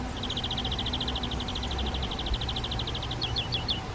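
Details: Garden-hut nest box of Spotted flycatchers, parents feeding their young on flying insects; a long rapid, even train of high pulsed notes for three seconds, ending in several short sharply falling chirps.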